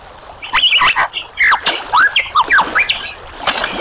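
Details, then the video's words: Superb lyrebird singing a busy run of sharp sweeping chirps and slurred whistles, some rising and some falling, tumbling together in quick irregular bursts with a faint watery hiss behind. "Lyrebird Song"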